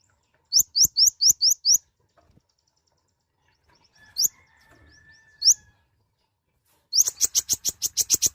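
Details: Mouse-colored sunbird, a small nectar feeder, giving five quick rising whistles, two more scattered upslurs after a pause, then a rapid, accelerating series of high, piercing chirps.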